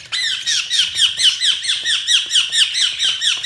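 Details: Budgies chirping in a steady run of high, bright, downward-sweeping chirps, about two each second, giving a rhythmic chattering pulse.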